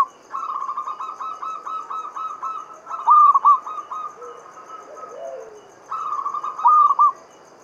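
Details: Local zebra dove of Java singing the Mataram standard pattern, recorded to stimulate other doves to sing. Long stuttered trills each end in a loud clipped three-note phrase, heard twice, with soft lower coos between.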